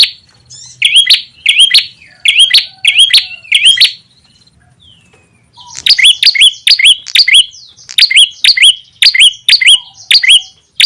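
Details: Ashy tailorbird lure call meant to bring wild birds in to respond: quick high chirps with a sharp upward flick, delivered in two rapid series of about six and ten notes with a short silence between.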